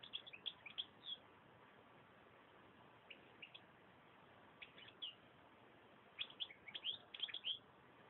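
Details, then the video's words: Song of a European goldfinch in short twittering phrases: clustered bright chirps at the start, scattered brief notes mid-way, then a denser liquid, tinkling run of rapid twitters toward the end, with a constant background hiss. "chant chardonneret"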